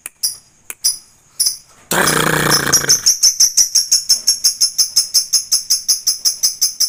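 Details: Lovebird at home giving a few scattered chirps, then a short burst of rough noise, then a steady run of harsh high chirps, nearly three per second.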